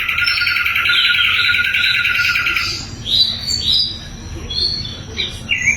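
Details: Sikatan londo flycatcher singing loudly and clearly, used as training song for magpie-robins and other songbirds: a rapid buzzy trilled phrase for nearly three seconds, then separate high chirps and short whistled notes.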